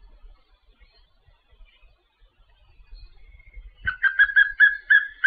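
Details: Papinho-amarelo song: after nearly four seconds of near silence, a rapid run of bright whistled notes begins, short slurred phrases repeated several times a second until the end.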